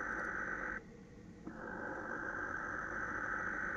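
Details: A male barn owl screeches at a female at about 21:07 on 26 December 2017: a harsh, rasping screech, a break of under a second, then a long hissing scream.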